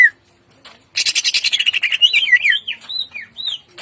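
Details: Morning song of a greater green leafbird in full voice with rough bursts: a harsh, rattling burst of rapid notes, then looping whistled phrases that rise and fall, with a brief sharp note at the start.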